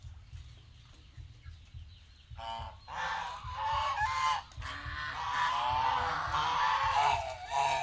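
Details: Geese on a farm in Asia, quiet for two seconds, then a flock breaks into loud overlapping nasal honks, harsh and harmonic, continuing in a dense chorus with a low mechanical hum underneath.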